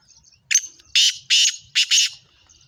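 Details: Kala teetar, a female black francolin noted as a speedy caller, gives a loud grating call of five rasping bursts: a short opening note, two broad harsh notes, then a quick pair. Faint small chirps sound before and after.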